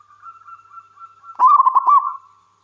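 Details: Local wild zebra dove, a frequent singer, used to lure other doves into singing. A faint, steady cooing tone runs underneath, then one loud, stuttering, rolling coo phrase with quick pulsed notes lasts under a second.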